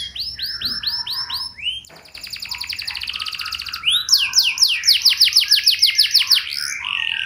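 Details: A canary's richly varied lure song, meant to get other canaries singing in reply: looping downswept whistles, a long fast buzzy roll, then rapid bright sweeps and a closing trill.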